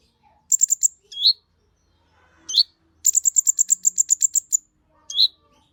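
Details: Kolibri Ninja sunbird singing hard to rouse other birds. Short pip bursts with upswept notes, then a long rapid trill of a dozen shrill pips, ending with one more rising note.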